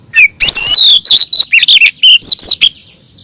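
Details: Oriental magpie-robin female calling her mate: a rising whistle followed by a busy sequence of short, bright, bending notes, loud and close, with brief gaps between them.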